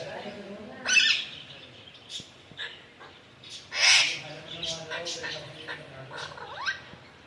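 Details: Pet Alexandrine parakeet uttering two harsh, broadband screeches about three seconds apart, with shorter raspy chatter between and after them and a low hum in the room.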